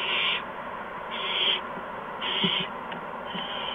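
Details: Owlets at a nest around 8 PM on March 13, 2015, while adults deliver mice and a gopher. Four raspy, hissing bursts, each under half a second, sound against a constant low hum.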